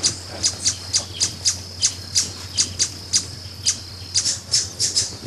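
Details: Brazilian ruby hummingbird giving a steady series of sharp, very high chips, roughly three per second, with short clusters and brief pauses, over a constant low hum and a faint steady high tone.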